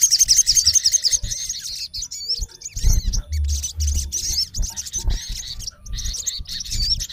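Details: High, rapid chirps and curling whistles from a male olive-backed sunbird calling a rival, dense at first, then scattered notes with low thudding noise in the middle.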